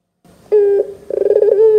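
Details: Brief Barbary dove coo used as a lure for young doves: a clear steady tone, a pause, then a quick stuttering trill that settles into a smooth held note.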